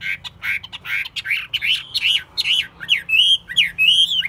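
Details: Chinese hwamei, a kept bird praised for its voice and fighting spirit, begins with rough buzzy notes, then moves into clearer looping whistles repeated about once every second.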